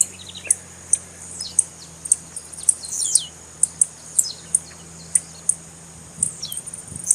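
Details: Female blue-black grassquit calling, intended to excite males. Evenly spaced, piercing high ticks carry throughout, with short descending slurs clustered near the middle and a low hum underneath.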